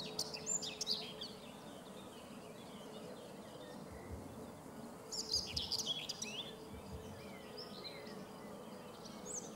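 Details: Common whitethroat on the Sava riverbank at Prečko, Zagreb, Croatia, 3 June 2017: two brief scratchy warbled phrases about five seconds apart, with faint chirps from other birds and low hum between.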